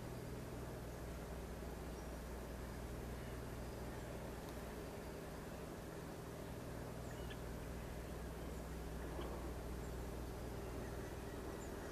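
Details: Steady low engine drone with a constant hum throughout; no animal voices stand out.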